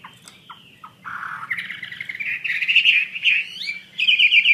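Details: Wambi mandarin bird singing actively: a few soft separate notes, then a loud continuous warbling stream of rising and wavering whistled tones, brief pause, and a bright trilling finish over faint low rumble.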